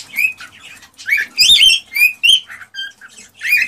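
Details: Cockatiel song played to prompt breeding: a quick series of whistled and chirped notes, some bright and sliding, some softer and lower, in an uneven rhythm.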